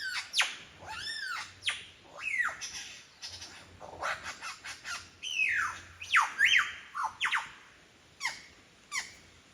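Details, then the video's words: A lyrebird in Sydney's Royal National Park pours out mimicked bird sounds: rapid downward-sweeping whistles and harsh squawk-like notes in a varied, tumbling sequence with brief pauses, in forest near Forest Path. "Mimicking sounds of the Lyrebird"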